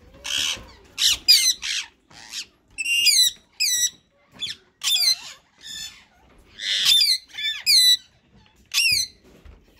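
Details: Rose-ringed parakeets, a white male and a green bird, in talking mode: short, breathy, speech-like bursts mixed with sharp, ringing squawks with stacked harmonics, in irregular clusters over about ten seconds, indoors.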